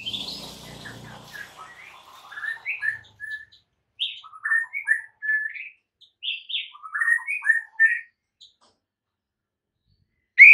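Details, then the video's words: White-rumped shama training song for caged birds: scattered short whistled notes and slurs in small clusters with pauses, over faint low noise at the start, ending on one loud note. "MASTERAN Murai Batu"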